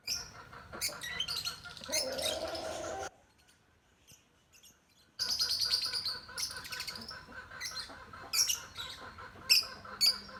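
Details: Lutino African lovebirds: dense, shrill, high chirping and screeching chatter, stopping for a two-second pause midway, then resuming with rapid repeated sharp notes.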